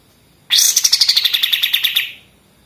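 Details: Rapid-fire 'machine gun' song of a Pied triller, used as tutoring material for other songbirds: a single fast burst of about fifteen crisp, high notes, opening slightly higher and settling lower, lasting about one and a half seconds, otherwise quiet.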